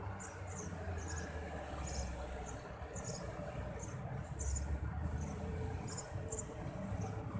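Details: Eurasian tree sparrow chicks in a dark nest, being fed by a parent, give thin, high squeaky cheeps in short bursts about every half second over a heavy low traffic-like rumble.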